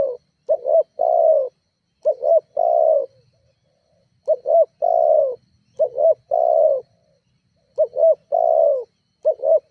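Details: Spotted dove calling, used as a lure to stir rival doves into calling: steady low coos, each phrase two short hoots and a longer falling note, repeated in close succession with brief pauses.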